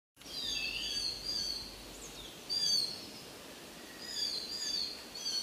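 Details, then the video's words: A common hill myna in Munnar gives loud, clear whistled notes with sliding, warbling phrases, repeated in bursts a couple of seconds apart over a soft outdoor hiss. "Hill Myna"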